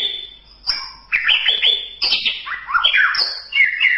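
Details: Tutor recording of a white-rumped shama: dense, rapid song mixing clear whistles, chattering notes and quick rising and falling slurs with hardly a break.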